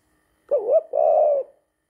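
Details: Male pet spotted dove recorded indoors on 23 September 2019 in spring, courting his human owner: a two-part coo, first a wavering, warbled phrase, then a brief break and a smooth, sustained, slightly falling hum, all in a quiet room.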